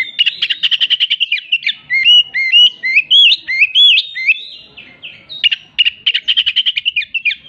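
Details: Oriental magpie-robin singing and imitating a hen clucking after laying eggs. Rapid stuttering bursts open and close the phrase, with slurred, rising and falling whistles in between. It sounds varied and energetic in a quiet setting.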